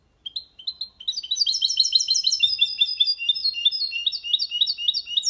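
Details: Goldfinch × canary hybrid in clean, error-free song for stimulating females and teaching youngsters, copia malaga style. A few separate chirps open into a dense, fast, high twitter of trills and buzzy notes that continues to the end.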